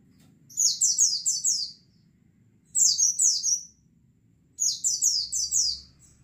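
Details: White-eye flock used for lure training: three lively bursts of four to five rapid, high, descending chirps each, spaced about two seconds apart, with a soft continuous hum below.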